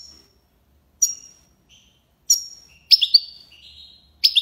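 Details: European goldfinch in tiwawati style: sparse high sharp chirps separated by silence, then a louder run of bright slurred notes and buzzy twitters.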